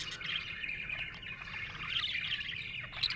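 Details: A happy budgie keeps up a dense, unbroken chirping chatter, a bright twittering warble that swells slightly near the end with a sharp squeak.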